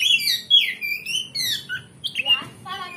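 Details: Oriental magpie-robin singing in an energetic, varied burst meant to provoke a rival into fighting: rich whistled phrases sliding down, quick chattering notes and harsh squawky fragments, with a faint steady high hum behind.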